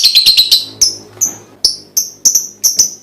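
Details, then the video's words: Lovebird prompting sound meant to get other lovebirds singing: a rapid cluster of sharp, high, piercing chirps, then about eight evenly spaced bright chirps roughly every quarter to third of a second, each note short and clipped. "full bunyi pancingan love bird"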